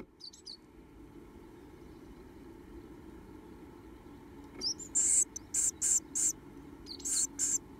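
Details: Two remaining Japanese tit nestlings in a nest box beg for food with open mouths: high, thin, hissing begging notes in quick bursts, several a second, over a low steady background hum.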